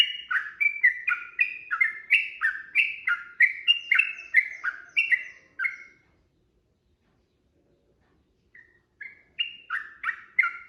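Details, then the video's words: Sooty-headed bulbul singing a long, busy 'ropel' fighting song meant to lure a bird into answering: rapid repeated two-part chirps sliding downward, roughly three a second, then a pause of about three seconds before the run resumes. "trucukan gacor TARUNG ROPEL PANJANG pancingan trucukan agar bunyi jadikan burung trucuk gacor NYAUT"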